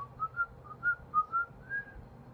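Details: Parrot kept as a pet whistles a series of short, clear, melodic notes, roughly evenly spaced and gently rising in pitch toward the end, over a low background hum.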